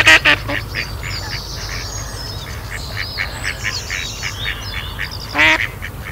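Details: At Kirriemuir RSPB, during rough mating where another male attacks the mating drake, a female Mallard gives a quick burst of harsh, nasal quacks, then one more about five seconds later, with small birds singing faintly behind.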